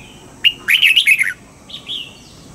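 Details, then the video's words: Red-whiskered bulbul practising morning song in the wild-sounding double-note style: a sharp opening chip, a tumbling burst of bright, gurgling whistles, then two softer, lower whistled notes after a pause. "Luyện giọng cho chào mào hót sáng, ép chào mào hót âm kép già rừng hay tuyệt!"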